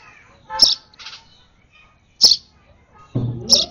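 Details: Sparrow nestling, hand-fed and over-excited, gives three piercing high chirps spaced unevenly, with a softer chirp and a short low rustle near the end.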